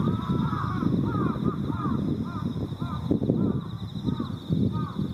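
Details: Jungle and Carrion Crows massed on rural power lines at dusk before heading to a communal roost, Japan, October 2018: a cacophony of overlapping hoarse caws, with continuous insect buzzing and heavy low-frequency background noise.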